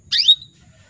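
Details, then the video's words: Calling female canary luring males, one strong chirp lasting about a quarter second, a dense buzzy burst sliding down into a bright sustained whistle, then quiet. "PANCINGAN KENARI BETINA MEMANGGIL JANTAN"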